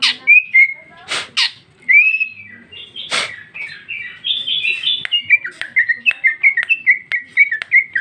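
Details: Gacor female cucak ijo from 2021: opening whistles and harsh rasps lead into a long, rising and falling stream of rapid warbled whistles with ticking clicks, steady and continuous toward the end.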